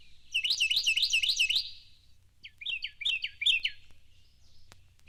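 A Carolina wren sings two loud, rolling bursts of quickly repeated, ringing phrases. Each burst has about five phrases, with a short pause between the bursts.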